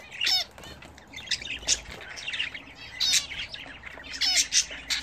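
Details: Home-kept pet budgerigars during a bath, giving scratchy squawks and short warbling chirps in uneven bursts about every second, with soft rustling between calls.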